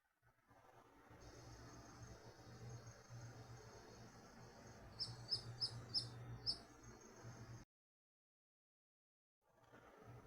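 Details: Long-trained Nightjar (Bacurau Tesourão), restricted to Atlantic Forest of southern and southeastern Brazil, male with immense tail: quick run of about six high, sharp ticking notes over a steady insect-like hiss and low rumble.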